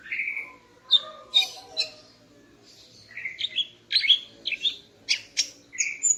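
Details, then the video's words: Female greater green leafbird, morning song aimed at arousing a male: a whistled opening note, scattered sharp chirps, then a lively run of varied twitters and clipped high notes. "Kicau Burung Cucak Ijo Betina Pagi Hari untuk Naikkan Birahi Cucak Ijo Jantan"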